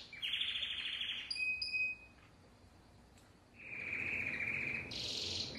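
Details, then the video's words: Timbrado canary song in two bursts: a buzzy rolling trill and a brief whistled note, a quiet pause, then a lower rolling trill rising into a higher trill. "اسطوانة تغريد كناري التمبرادو"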